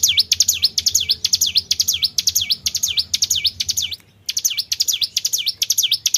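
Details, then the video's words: Tribel bird sound used as a lure for other birds: loud, high, swooping paired chirps repeated quickly, a brief silent gap near the fourth second, then the chirping resumes at the same pace. "PANCING BUNYI BURUNG TRIBEL"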